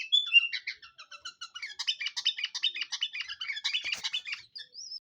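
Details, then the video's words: Sooty-headed bulbul lure song at lower volume: quick, evenly repeated chipping notes build into dense chatter, ending with a short whistled slur. "suara burung kutilang pikat gacor"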